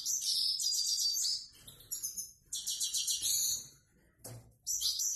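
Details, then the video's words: Simple 'prostyak' song of a Grey-headed goldfinch: several rapid, high, chattering phrases of buzzy trills and tinkling notes, broken by short gaps and one soft click. "Седоголовый щегол ,простяк."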